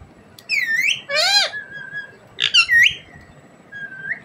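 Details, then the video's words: A pet rose-ringed (Indian ringneck) parakeet talks, giving a few short, nasal, speech-like phrases with swooping pitch, ending in a thin rising whistle; the background is quiet. "Ringneck parrot bird talking"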